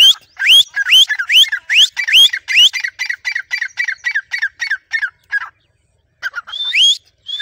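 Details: Grey francolin kept tame and trained to call on its owner's whistle: a fast series of rising whistled notes, roughly two per second, turning into harsher repeated chattering notes that slow and stop, then a few more rising calls after a pause.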